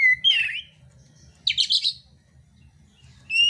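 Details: Oriental magpie-robin in contest song: a clear whistle then a rough buzzy burst, another harsh scratchy phrase, and a final pure whistled note, over constant low hum.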